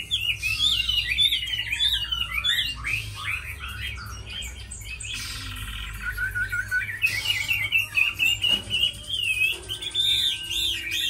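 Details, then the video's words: Chinese hwamei, a tame caged bird praised for fighting and singing, gives varied song: swooping whistled slurs, a sustained trilling stretch, then loud choppy phrases, with occasional clatter and low hum. "Mi thuần đấu tốt hót hay"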